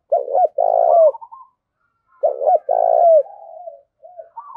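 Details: Spotted dove used as a decoy to call in wild birds: two phrases of a quick double coo then a long, vibrating coo, each followed by softer, higher trailing notes.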